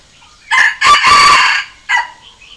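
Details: Trained Red junglefowl decoy rooster giving a challenge crow toward wild birds: a short first note, a loud, buzzy, held middle section, and a brief tail note, with faint background hiss only.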